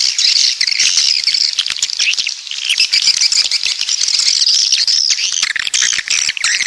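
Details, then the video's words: A swiftlet chorus, coastal 'walet pantai' style from the south, with sustained high thin trilling and dense chirping that barely pauses, dipping slightly in the middle. "Suara Walet Pantai Dari Selatan"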